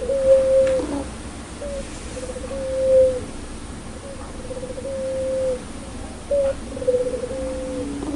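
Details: Barbary dove (puter pelung) with a loud, clear voice, giving a laughing ngakak call: faint, level coos repeated irregularly at about the same pitch, with quiet background hiss.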